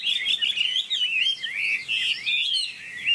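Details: Chinese hwamei kept in a cage, singing a run of rich, rolling whistles that rise and fall smoothly, nearly unbroken for three seconds with one brief pause.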